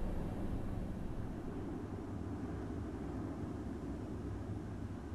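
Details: A constant low aircraft-like engine drone fills the recording with no animal sounds.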